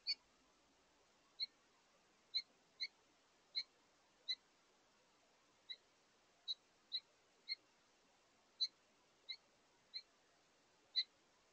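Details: House finch couple at a bird feeder on 7 August 2023, communicating while taking their last meal of the day; short, bright chirped notes given singly at irregular intervals of roughly one second, about fourteen in all, over quiet background.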